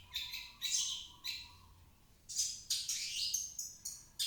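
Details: Long-tailed shrike song used as a lure to prompt a reluctant shrike to sing: harsh, scratchy bursts of high chattering notes in quick clusters, separated by short pauses, with a faint steady low tone underneath.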